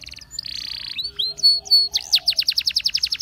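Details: Belgian canary singing for training: a brief trill, a dense buzzy roll, a few clear whistles, then a fast run of sharp repeated high notes.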